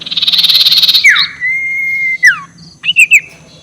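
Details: Sirtu ngekek call used as a lure to provoke rivals: a second of harsh, rapidly pulsed buzzy chatter, then a long flat whistle that drops at each end, followed by short sharp whistled notes.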